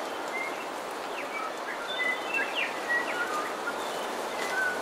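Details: Coastal dawn chorus featuring bellbird song and calls: brief pure whistles and quick rising slurs tumble over one another from several birds against constant soft environmental noise.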